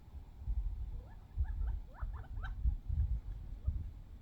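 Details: Squabbling over scattered bird seed, wild desert quail that hatched only months earlier give a quick burst of six or so sharp upslurred chirps, then a few scattered notes, with thumping and low rumble beneath.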